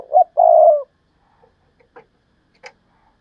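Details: Tail end of a spotted dove's coo from a decoy bird, a hoot then a long coo, followed by a few soft clicks and knocks.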